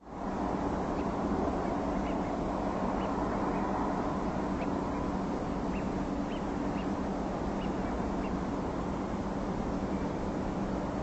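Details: A flock of Eurasian wigeons in nocturnal flight gives short, clipped interaction calls, one every second or so, rather than the classic whistles, over a steady roar of background noise.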